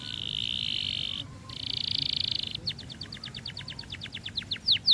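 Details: Canary song meant to stimulate other canaries to sing: two long dense buzzing rolls, then a chain of sharp repeated notes quickening and swelling in loudness to the close.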